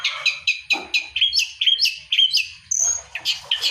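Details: Long-tailed shrike song meant to prompt silent birds to sing, with sharp chirped notes in quick succession about twice a second, some rising whistles, and a long high clear whistle near the end.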